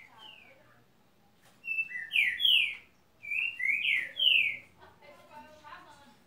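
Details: Green-winged saltator sings two nearly identical loud phrases back to back, each three or four rich slurred whistles, followed by softer chattering notes in the background.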